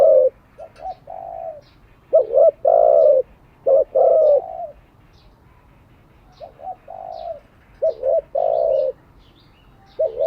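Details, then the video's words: Spotted dove cooing as daily training for decoy and wild-caught doves: repeated phrases of a short clipped coo followed by longer, hollow, slightly falling coos, separated by gaps of a few seconds; faint chirps of small birds behind. "Tiếng chim cu gáy mới nhất, dùng luyện chim gáy bổi và mồi hàng ngày"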